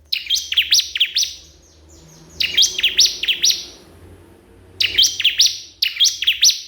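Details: Bar-winged prinia calling a rival: bursts of sharp, high chirped notes, each note dropping in pitch, in quick strings of three to four separated by short pauses, with a faint low hum behind.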